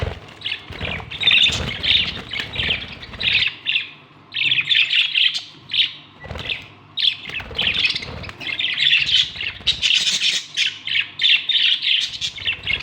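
A budgerigar chatters in rapid, scratchy warbles and chirps, with a few harsher squawks mixed in.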